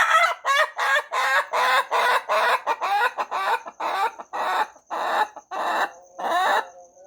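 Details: Lengthy morning crow from a rooster: a long series of loud, rasping, laughing-like bursts of even spacing. It ends with a faint insect ticking and a soft trailing tone.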